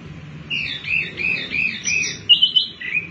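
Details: Wambi mini singing in a lively, chattering style used as a lure to prompt other birds to sing: quick warbled and chirped phrases, rising and falling, ending with bright sharp notes, over faint low background hum.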